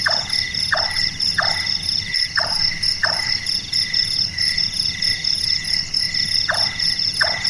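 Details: Large-tailed nightjar, active at night, gives hollow, knocking 'chonk' notes likened to carpentry, about every 0.7 seconds with a pause mid-series, over a steady shrill drone of insects.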